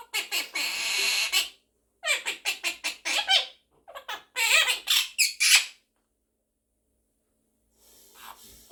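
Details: Pet monk parakeet, also called Quaker parrot, talking and singing along with its owner; harsh, raspy squawk bursts in quick runs of five or six, separated by short pauses, then a faint scratchy trailing call.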